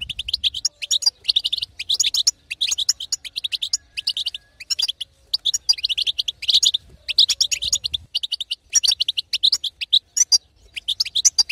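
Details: Female European goldfinch giving its batbata twitter, meant to excite a silent male into singing: fast bursts of high, tinkling, chattering notes in dense runs, broken by short pauses roughly every second or two.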